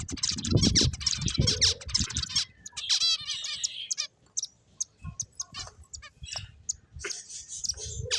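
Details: Finches playing and chirping, with rapid high twittering and fast trilled notes early on, then scattered short sharp tweets among dull knocks and low bumps.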